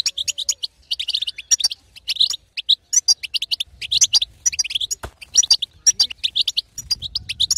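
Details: Female European goldfinch betbeta, played to rouse a silent male into song: sharp, high chirps grouped in short twittering phrases with small gaps, steady throughout, faint low rumble in places.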